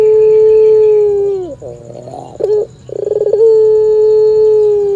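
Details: A long, low, even coo slides down at its close, then a rattling pulsed passage and a short note lead into another sustained, steady coo; melodious Barbary dove song played to a listening cat.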